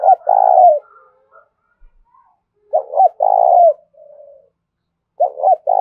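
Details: Decoy spotted dove calling wild birds: a repeated coo phrase of a clipped double note and a long, rough, descending coo, given three times at intervals of about two to three seconds, with faint soft notes between.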